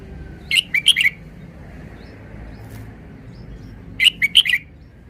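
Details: Red-whiskered bulbul delivering two short, cheerful song phrases of four or five clear whistled notes each, about three and a half seconds apart, against a quiet murmur of background noise.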